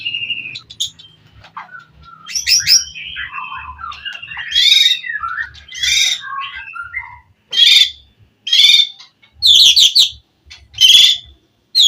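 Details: White-rumped shama in loud 'gacor' song, meant to make a rival answer: scattered varied warbles and whistles, then loud rhythmic chattering bursts about a second apart.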